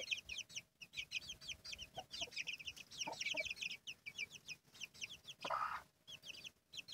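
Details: Hen with her chicks: dense, rapid high peeping from many chicks, short downward-slurred notes repeated continuously, with a few low soft clucks and a brief noisy burst near the end.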